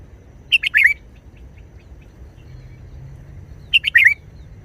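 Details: Red-whiskered bulbul delivering brief forest-style song phrases: two quick runs of three or four chirpy, slurred whistled notes about three seconds apart, with faint soft notes between and a low background drone.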